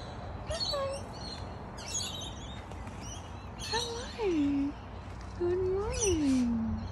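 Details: An Australian kookaburra father calling for his young son gives two drawn-out, falling hoots between harsh, rasping bursts in the morning, while a person talks softly nearby.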